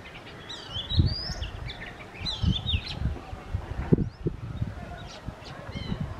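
Oriental magpie-robin singing sweet, varied whistled phrases that rise and fall, strongest early on, with fainter notes later over low rumbling wind and thumps.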